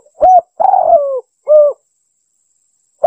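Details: Spotted dove calling as a lure for wild birds: a rounded coo, a drawn-out hoarse coo with a falling tail, and a short clean closing note, one full phrase with silence after.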